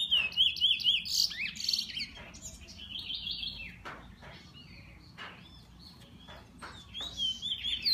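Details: Owned bullfinch giving a burst of bright, high chirping whistles at the start, then scattered short notes broken by sharp clicks and knocks, with a few trailing whistles near the end.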